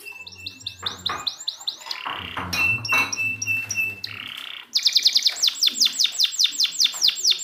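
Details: Canary in a training recording for birds that stopped singing: quick swept notes, then a stretch of harsh, noisy chattering, before a loud, fast, even rolling trill of high notes.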